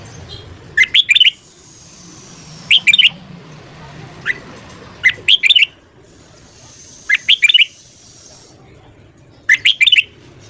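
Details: Morning song of a red-whiskered bulbul in the energetic 'căng lửa' style. It delivers six clipped clusters of sharp, high chirping notes, spaced roughly two seconds apart, over soft low background rumble.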